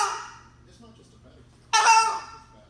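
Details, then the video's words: Talking cockatoo gives two harsh, raspy, speech-like utterances: a brief one at the start, then a louder, gravelly word after a pause. "Talking Cockatoo"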